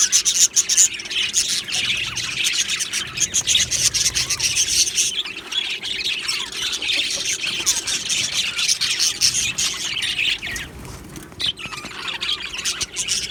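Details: Aviary colony of Australian budgies chirping happily; a crowded layer of high, raspy twitters and squawky notes runs on, easing briefly near the end before the chatter swells again.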